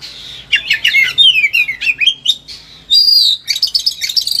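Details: Highly agitated Oriental magpie-robin singing to train other birds: quick chattered notes, a run of falling slurred whistles, a long bright whistled note, then fast repeated buzzy pulses, low hum faintly behind.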